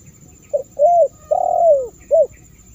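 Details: Spotted dove lure call for drawing in wild doves: a brief hoot, a rising-falling coo, then a long descending drawn-out coo and a final short hoot, mellow and low-pitched over a faint hum.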